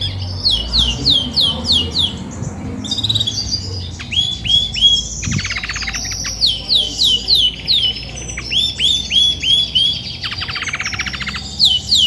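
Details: Female Belgian canary, grey and white, singing as she readies to brood: rapid series of high downslurred notes, sweeping whistles and dense buzzy trills, steady pulsing phrases throughout, faint low background noise.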